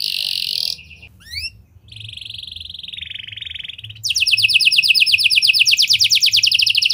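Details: Canary singing in a lovebird and prenjak style, used as a lure to get other canaries singing long: a high buzzy note, quick rising chirps, a steady whistled tone, then a fast rattling trill of rapidly repeated notes.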